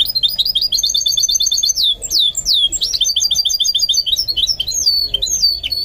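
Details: Song of a goldfinch mule in training: rapid high trills and tinkling twitters, interwoven with sweeping slurred whistles that dip and rise, carried on without pause.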